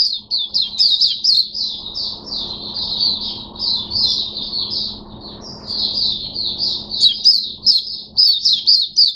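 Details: Oriental white-eye, a kept bird in open 'buka sing' song, recorded 5 May 2022: a continuous run of thin, high chirping notes in quick succession for over nine seconds, with a faint low hum behind.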